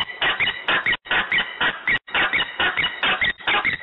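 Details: Agitated peregrine falcon in Włocławek, Poland, 15 November 2020, 14:22; rasping calls delivered about twice per second in clusters, with two short pauses, each note ending in a brighter squealing tone.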